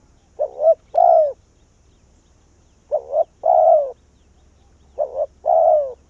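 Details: Spotted dove used as a decoy to call wild doves in, giving a repeated cooing phrase: a short double coo followed by a longer, falling, husky coo, repeated about every two seconds, three phrases in all.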